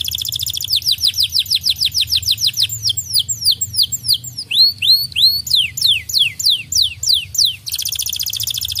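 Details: Canary song played as a lure to get caged birds singing: fast rolling trills of high downslurred notes, about three per second, shifting into upswept whistles and ending in a buzzy high trill, with a faint low hum.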